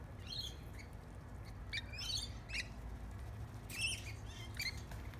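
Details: Lorikeets being hand fed bread crust in a backyard give harsh, shrill squawks in scattered bursts, several birds calling with short gaps between them over a low rumbling background.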